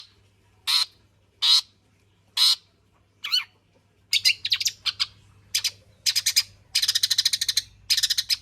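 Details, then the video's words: Long-tailed shrike singing persistently, a lure recording meant to make other shrikes sing, full of varied fill-in material: three spaced harsh broadband notes, then faster buzzy bursts and rapid stuttering rattles, with a low steady hum behind. "burung cendet gacor FULL ISIAN pancingan Cendet AGAR BUNYI Cendet Bongkar Materi"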